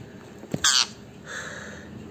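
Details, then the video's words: Pet parrot calling when angry, indoors; a single harsh, loud screech lasting about a quarter second, preceded by a brief thump and followed by a softer fading rasp. "My Angry parrot"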